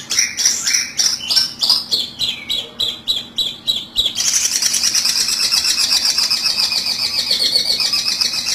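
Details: Long-tailed shrike calls played as a trapping lure: rapid high chirps and scratchy notes repeated several times a second, then a dense, continuous high twittering chorus in the second half.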